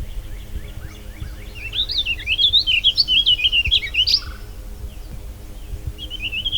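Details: A Warbling Vireo sings a long, rambling, rising-and-falling warble of about two and a half seconds, then starts another phrase, over a faint low hum; recorded at Harvey County West Park, Kansas. Finding: Warbling Vireo.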